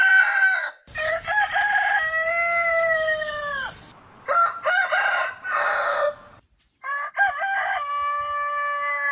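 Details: Rooster crowing from a compilation of Aseel and other breeds: several spliced crows, each a loud, harmonic, drawn-out cry lasting up to three seconds, separated by abrupt cuts and brief silences.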